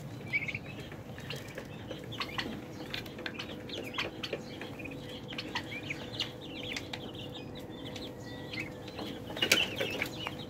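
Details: A flock of 30-day-old turkey poults peeping in a steady, overlapping chorus of short, high chirps, with scattered clicks, wing flutters and a constant low hum.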